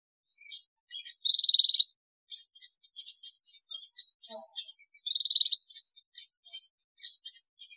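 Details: Lively canary in full song, used to prompt other canaries to sing. Two bright, rapid rattling trills stand out among a steady scatter of quiet, high ticking notes.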